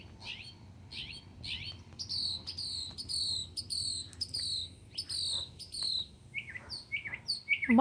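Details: Mimicking mockingbird delivering varied phrases: high falling whistles repeated in a rhythmic series, then lower slurred notes and sharp chips, each phrase type sung several times before switching. The background is quiet.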